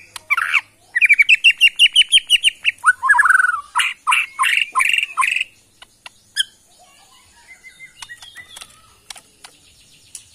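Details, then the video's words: White-rumped shama, a wild-origin Borneo bird from the Kalimantan forest, sings a loud run of rapid repeated whistled notes, then varied slurred phrases, ending in scattered sharp clicks and faint chatter. "AKSI murai batu BORNEO ori Hutan KALIMANTAN"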